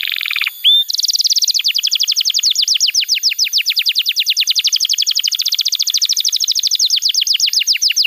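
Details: Canary song meant to train young canaries: a brief buzzy trill and a single whistled note, then a long, even run of quick downward-sweeping notes repeated many times a second.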